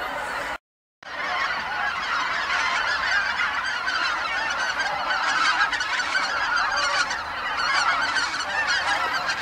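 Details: Dusk at Kabukuri-numa marsh as feeding geese return en masse, calling in unison; a short silence at the start gives way to a swelling chorus of overlapping honks that grows louder toward the end.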